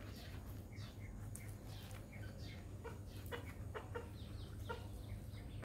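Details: Red junglefowl (Gallus gallus), clucking call.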